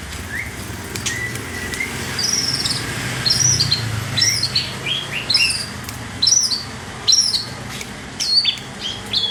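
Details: Long-tailed shrike of the Priangan strain from West Java, singing in full, steady voice: sharp, high, slurred whistled notes, each rising then dropping, repeated about once a second after a few softer opening chirps, over a low rumbling background.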